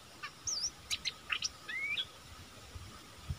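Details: Bulbul decoy bird luring wild birds, 16 March 2021: a wavering whistled note, then clipped sharp chips and a rising slurred whistle ending in a flick, with a quiet hiss behind.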